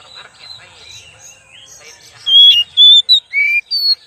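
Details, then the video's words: After a stretch of soft twittering, an oriental magpie-robin (kacer) used as a lure bursts into five loud whistles, clear and level or gently sliding, in under two seconds. "pancingan kacer"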